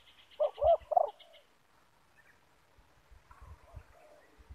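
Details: Spotted dove of the loud-voiced 'banggo' type, a caged decoy or wild bird meeting in a yard while trapping with a lure bird; three short, burry coo notes at the start, then quiet with faint distant chirps and low thumps.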